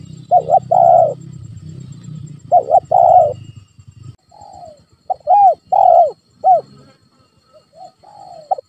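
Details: Spotted dove lure call for a pet dove reluctant to call: wavering double coos and long coos over low rumble, then a clearer phrase of arched coos and soft falling notes.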